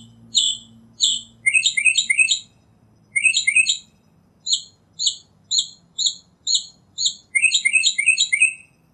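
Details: Wild northern mockingbird giving quick clusters of sharp chirps, some single, some in bursts of three or four, delivered in a rapid uneven series over nine seconds.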